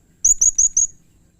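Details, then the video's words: Blue-crowned hanging parrot, called serindit, singing gacor as a lure: four bright, shrill, very high notes given rapidly in an even row, then silence. "masteran suara burung srindit atau serindit gacor || Pancingan suara burung serindit"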